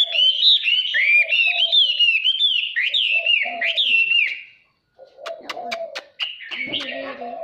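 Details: Chinese hwamei singing a wild-type song used for voice training and to stir birds into contest singing: loud rich whistled phrases, rising and falling in quick succession for four seconds, then sharp clicking notes and lower warbles.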